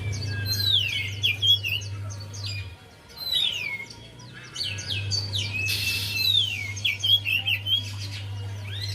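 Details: Lure recording of Javan white-eye song meant to get a quiet bird singing: busy high twittering phrases with falling whistled slurs in several bursts, a brief noisy burst, and a low background hum.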